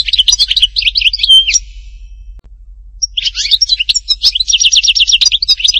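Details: Goldfinch singing in the Htatba style of Tipaza: a rapid liquid twitter with a clear whistle, a pause, then a long energetic phrase ending in a fast, evenly repeated rattling trill.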